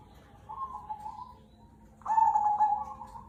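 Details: Zebra dove of the Cemani Kolbuntet type, a lively singer used as a lure song: two resonant cooing phrases, a softer trilled coo then a louder rolling coo ending in a steady held tone, over faint low background hum.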